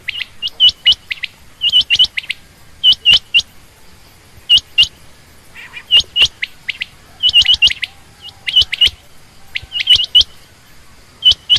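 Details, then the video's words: Female quail calling steadily: clusters of sharp, high, upturned chirps in quick doublets and triplets, repeated again and again with short gaps over roughly eleven seconds. "common quail/Rain quail sound)chinga batair ki Awaz)Звук самки перепела)صدای بلدرچین)صوت السمان"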